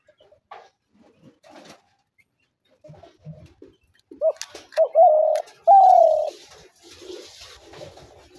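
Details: Trap-lure call of a spotted dove: after scattered quiet rustles, two clipped hoots lead into two sustained coos, the second one higher and falling. A hissy background noise rises toward the end.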